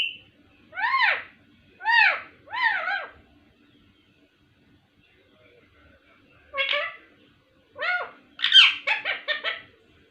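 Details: Pet ringneck parrot, called miyan mithu, talking indoors: clear, harmonic, arched syllables in a group of three, a pause, then a faster run of several more speech-like utterances.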